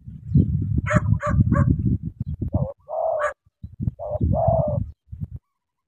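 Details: Spotted dove from Cà Mau: deep rumbling, thumping low sounds dominate at first, followed by two or three broad, hoarse mid-pitched coo notes around the middle, with brief sharp clicks.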